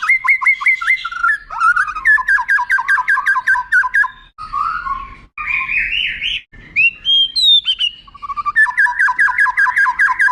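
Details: Contest-bird tutor song of a white-rumped shama: repeated crisp notes in rapid series, rolling trills, harsh buzzy phrases and clear rising whistles, with short pauses between sections.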